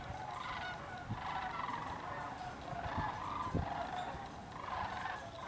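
Sandhill cranes in a flock give overlapping rolling, rattling bugles that swell and fade every second or two, over a steady low rumble of wind or traffic.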